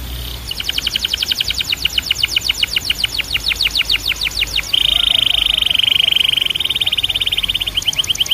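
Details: Canary in full song: a long rapid trill of sharp descending notes accelerating, then a loud rolling buzzy trill held for several seconds, with faint background noise.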